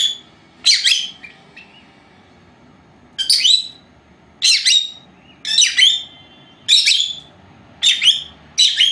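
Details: Pair of young female lovebirds, four months old, at home during their nap; loud clipped chirps and squawks arrive in irregular pairs roughly once a second, with quiet gaps and faint room noise between.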